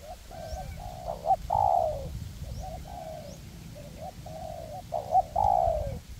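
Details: In forest, two spotted dove decoys, perched and on the ground, call in turn to attract wild doves for trapping. Short stuttered notes lead into loud, drawn-out coos, in two strong phrases about four seconds apart.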